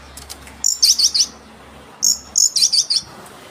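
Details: Oriental magpie-robin, a lively singing bird, song used as a lure to quickly provoke rival birds: two bursts of high, rapid twittering trills, each a short slurred note followed by quick looping chirps, separated by a pause of about a second.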